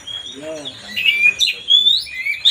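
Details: Oriental magpie-robin singing to rile up another bird: a brief run of clear, sliding whistles, some rising and some falling, over a soft lower wavering tone.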